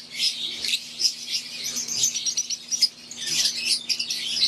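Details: High, piercing chirps and twitters pour from an aviary flock of wild-type green Fischer's lovebirds and Euwing lovebirds, notes overlapping in uneven bursts, a soft continuous low hum beneath.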